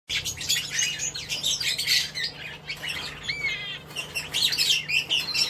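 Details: Northern red bishop: a dense, buzzy, sizzling chatter of rapid notes with short whistled trills, continuous through the clip.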